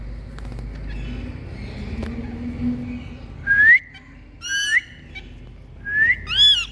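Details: Indian green parrots, rose-ringed parakeets, calling with varied sounds: three short rising whistled notes with rich overtones in the second half, after a stretch of low hum and faint background noise.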